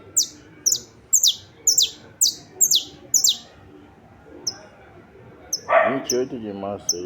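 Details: Saffron finch singing, recorded 28 March 2026: a rapid series of high, sharp downslurred notes about twice a second, then sparse thin chirps, with a man talking at the end.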